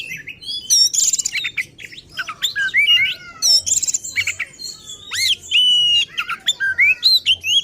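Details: Provocative song of an agitated oriental magpie-robin (kacer): clear whistled rising and falling notes mixed with harsh scratchy bursts and fast repeated chips, sung in energetic continuous phrases.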